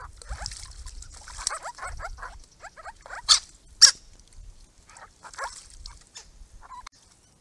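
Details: Grey-crowned babblers, one of a small monitored group visiting a garden pond on a rural property, give a busy run of chattering calls: quick slurred and descending notes with two sharp loud clicks near the middle, plus faint low rumble.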